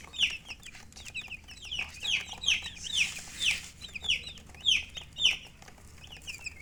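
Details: High, piercing chirps from colored chickens with a hen, each one sliding downward, repeated in an uneven run of nearly two per second with soft rustling between calls.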